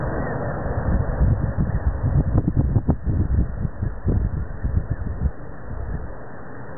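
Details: Heavy wind buffeting and a deep, uneven low rumble fill the recording, with no animal voices audible.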